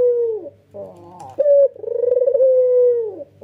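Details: Red-eyed white Barbary dove, a male, in full nodding call. A falling coo tail gives way to a sharp accented note, then one long, throbbing, even-pitched coo that dips at the end. Faint background hum.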